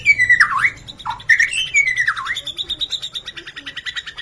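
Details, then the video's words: Loud song of a Bornean 'gembung' white-rumped shama with varied phrases: dipping V-shaped whistles and a low slur, followed by a rapid trill of repeated sharp pulses that fades slightly toward the end. "MURAI BATU BORNEO/MURAI GEMBUNG GACOR ISIAN MEWAH"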